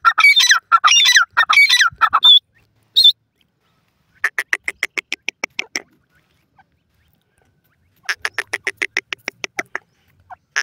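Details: Female Indian francolin giving harsh squawking phrases at first, then long runs of rapid, evenly spaced dry clicking pulses, with a silent pause between the runs.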